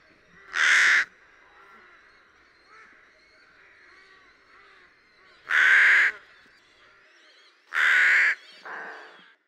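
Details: Rook in Lithuania in spring, returning for the season: three loud raspy caws at irregular intervals, the last followed by a quieter, shorter caw, with soft distant rook calls underneath.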